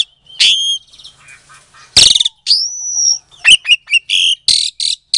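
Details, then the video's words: Captive-bred Asian pied starling, Klaten, Indonesia, February 2022, singing to provoke quiet starlings into response: a whistled upslurred note, a grating burst, a long drawn whistle, then quick chattering and harsh buzzy notes. "Suara Jalak Suren Pancingan, Jalak Macet Pasti Jadi Emosi Langsung Nyaut"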